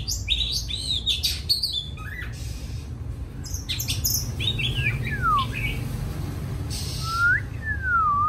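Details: Oriental magpie-robin, a kept bird near the end of the moulting season, gives clipped high chirps, then long clear whistles that slide steeply downward, ending with a rising-then-falling whistled note, against a faint steady background hum.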